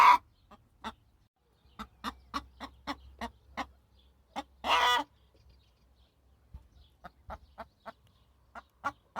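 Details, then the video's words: Hen clucking: a steady run of short, soft clucks, broken by one loud, harsh squawk midway, then more scattered clucks. "صوت الدجاجة"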